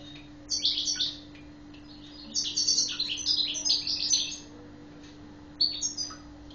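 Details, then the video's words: European goldfinch of the Badri Guelma style, kept by a breeder, singing short bursts of quick twittering, tinkling high notes separated by pauses, over a steady low hum. "حسون بدري قالمة"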